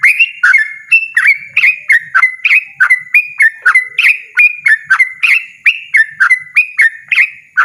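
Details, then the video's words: Insistent 'ropel' singing from a yellow-vented bulbul: loud, rapid, bubbly chirps, each dipping then rising, delivered in a long, even chain. "burung trucukan ropel ngotot suara lantang"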